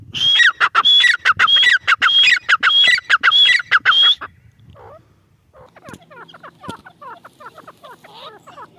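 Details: Female grey francolin giving a rapid run of loud, harsh, piercing notes for about four seconds. The series then stops, and softer twittering chirps from other birds follow.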